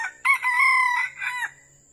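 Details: A red junglefowl, recorded during wild junglefowl trapping, gives one short, hoarse crow lasting just over a second, clipped and trailing off at the end, over a faint steady high hiss.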